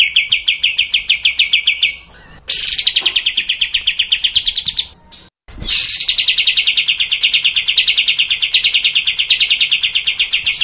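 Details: Olive-winged bulbul in its long rapid-fire 'tembak' song: sustained high machine-gun trill of quick repeated notes, cut by short gaps and sharp upward flourishes before the rattle continues.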